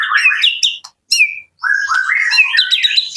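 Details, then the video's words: Singing white-rumped shama from Jakarta: a loud burst of rising and falling whistles, a clipped high note, a pause, then a rolling sequence of warbled whistles climbing upward. "murai batu super sonik"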